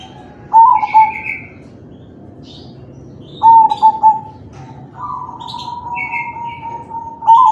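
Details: Crossbred zebra dove in song, kalung tempuk style, meant to prompt other doves to answer: short bursts of two to four soft coos, then one long drawn-out steady tone, with scattered high chirps of other birds.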